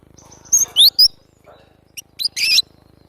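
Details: An actively singing cinereous tit (glatik batu) gives bright high sweeping whistles, a brief pause, then a dense, buzzy burst of high notes near the end.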